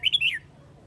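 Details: Red-whiskered bulbul, Huế type, giving a brief flock-calling phrase: three rapid clear whistles, the last sliding downward, over less than half a second, then quiet.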